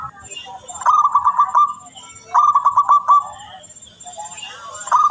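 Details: Local zebra dove, a frequent, very clear singer used as a lure bird, gives three bursts of rapid, trilling coos, each phrase a quick run of staccato notes lasting under a second. Faint high hiss runs behind.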